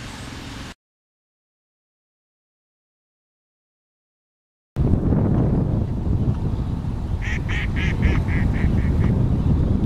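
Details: In Florida, a Red-shouldered Hawk that was also preening gives a quick series of about eight sharp, slightly falling calls after a stretch of silence, over heavy rumbling wind noise.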